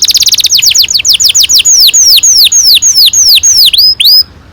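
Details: Canary in long rolled song, meant to encourage young canaries to sing: quick repeated high notes slow into a string of loud whistled notes sweeping downward, ending suddenly.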